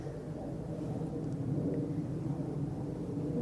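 On a walk at Low Locks, Deeping St James, a steady deep rumble like distant traffic or wind fills the background. No animal voices are heard.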